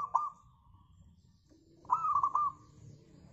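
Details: Local zebra dove used as a lure to make other birds sing: a soft sustained coo, then after a pause a burst of quick staccato coo notes running into a held tone.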